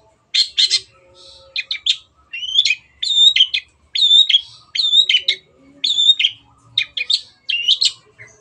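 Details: Long-tailed shrike singing gacor-style for a clear tutor recording: repeated short phrases, about one per second, each with a rising whistled squeak tied to scratchy chatter, over faint background hum.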